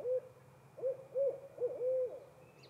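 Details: A female barred owl hoots back to her mate, five loud, low, slightly arched notes in a broken rhythm, the last one drawn out, over a steady faint background hum.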